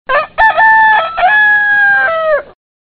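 A rooster gives one full cock-a-doodle-doo crow, a few short choppy notes rising into a long, loud, held final note that drops away at the end.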